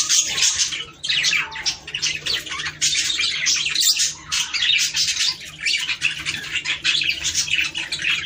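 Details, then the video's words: Budgerigar song used to prompt breeding: bursts of busy, buzzy warbling and chirps in phrases about a second long, separated by brief dips, high and scratchy throughout. "صوت طيور البادجي ــ تحفيز للتزاوج"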